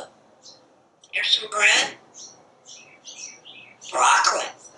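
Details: Pet parrot chattering on a screened back porch while watching squirrels and birds; two loud, raspy speech-like bursts separated by soft high chirps and little whistled notes, with a quiet room background.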